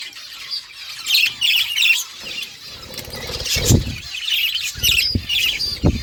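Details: Chirping pet budgies trade scratchy high warbles and squawks, broken by a few dull thumps and wingbeats.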